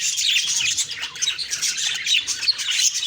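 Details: Budgies on October 2, 2023 in the morning, chirping in quick bursts of high tweets and whistled notes from many birds together.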